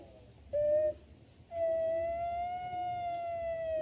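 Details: Barbary dove (Streptopelia risoria) at night gives a brief clear coo, then a long, steady, drawn-out tonal coo holding its pitch over two seconds, against faint hiss.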